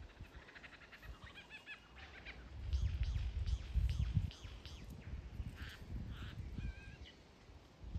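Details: Lyrebird practising its song and dance before the mating season: a run of quick repeated clicking notes, then sharper whistled and buzzy phrases at mid-high pitch, all over a heavy low rumble.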